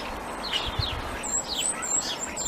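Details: In chilly winter around Christmas and New Year, a starling sings a jumble of thin high whistles, slurred notes and clicks, with a few sparrows chirping busily alongside.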